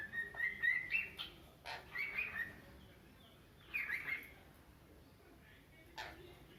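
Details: A playful cockatiel, described as always active in the morning, gives short bursts of bright, warbling chirps, with a few sharp clicks between them.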